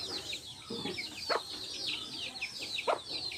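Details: Backyard hens with chicks; thin high chick peeps continue while a few low, brief hen clucks break in, one of them a soft grumbling note.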